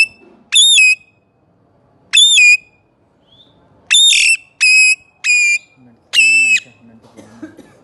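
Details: Parrot belonging to a family of parrots, giving loud, harmonic-rich whistled calls, each about half a second long with a sharp drop at the end, repeated irregularly six times, with faint speech nearby.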